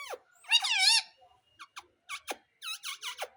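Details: Indian ringneck parrot talking, taught to say "Mummy": a loud, rough, wavering voiced phrase, then a rapid string of short, falling squeaky notes and chatter.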